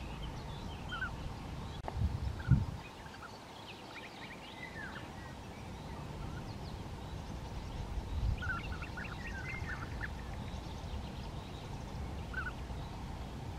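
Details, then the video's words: European bee-eater at the Bečva riverbank, Czech Republic, come to pick up sand grains as grit for digestion; clusters of burry, rolling chirps arrive in a few bursts, with a loud thump near the start and constant water noise behind. "Vlha pestrá, European bee-eater, Bienenfresser, Bijeneter, Золотистая щурка, Żołna zwyczajna"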